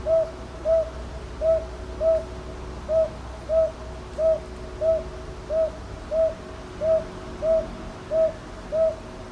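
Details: Northern boobook at Ichijoji, Sakyo Ward, Kyoto, Japan, 22 May 2023, taken on a TASCAM DR-100MKIII; about fourteen mellow, even hoots delivered in steady pairs, roughly one note every two-thirds of a second, over faint hum.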